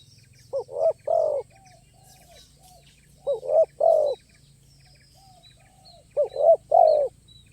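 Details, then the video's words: Spotted dove at a luring site, singing with a crisp voice and stuttering sound play. Three phrases about three seconds apart, each a quick stuttered note and two stronger falling coos, with soft distant coos between. "Suara Burung Ini Berkelas Dan Mewah"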